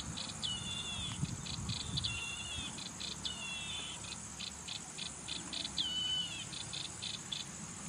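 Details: Yellow-eyed babbler repeats clear downslurred whistles several times, interwoven with rhythmic pulsed bursts of insect buzzing, about four per second. A continuous high-pitched insect drone underlies everything.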